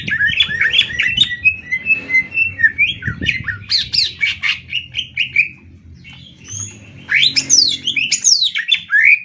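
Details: Greater green leafbirds in a Banyuwangi versus Kalimantan singing match: dense chattering whistles and trills, a short quiet gap, then loud sweeping slurred calls, with some background clatter.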